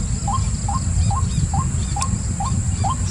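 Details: Series of seven quick rising notes from a white-breasted waterhen, evenly spaced about half a second apart. A continuous high-pitched hum and dense low rumble fill the background.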